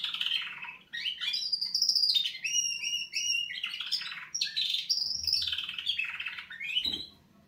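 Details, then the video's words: Canaries giving a wake-up song: a continuous run of rapid trills and warbled phrases, high and bright, with sweeping notes and rolling chatter that barely pauses across the whole stretch. "Kanarienvögel Weckgesang |||Canaries wake-up song"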